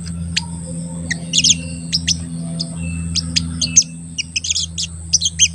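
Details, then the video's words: Crested jay giving rapid high chirps in irregular groups, a recording used to excite other crested jays and trap them in the wild, under constant low hum. "Pancingan Sogon Agar Bunyi dan Emosi"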